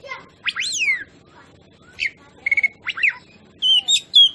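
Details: Oriental magpie-robin (kacer) song used as a lure to provoke other birds; loud arching whistle, then short chirps, trills and clear whistled notes.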